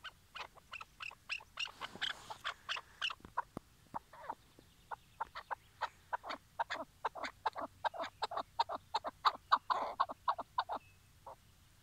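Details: In Şırnak, Turkey, a tethered decoy Chukar partridge calls ahead of trap hunting: irregular, fairly quiet clucking notes build into a denser, louder rattle of chucks toward the end.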